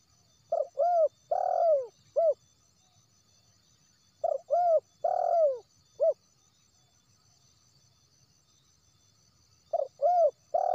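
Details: Wild spotted dove (terkukur) calling, used to lure doves: phrases of three to four low hollow coos, the middle one longest, repeated about every four seconds with silence between.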